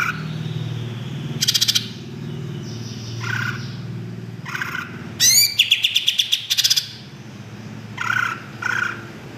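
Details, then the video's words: Greater green leafbird song in spaced bursts of rapid trilled notes, with a longer run of fast repeated clicks and a high whistle, over a low steady hum in the background. "kicau cucak ijo mantap"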